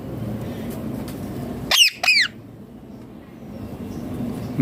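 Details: Green ringneck parrot giving two loud harsh squawks close together, each sweeping down in pitch, over a steady low background hum.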